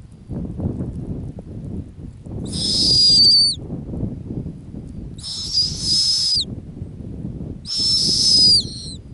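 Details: On its Arctic ground nest, a female snowy owl gives three rasping, whistle-edged screams roughly two and a half seconds apart, above steady low wind-like noise.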